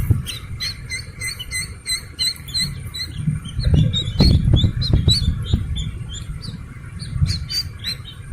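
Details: Slaty-legged crake chick, a sound used to attract the parent birds. Dense high chirps come fast, mixed with clicks and knocking noises, over a low rumble.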